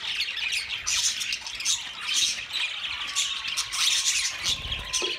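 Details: Steady, dense budgerigar chattering of harsh squawks and fast warbling chirps, with a low rumbling noise entering near the end.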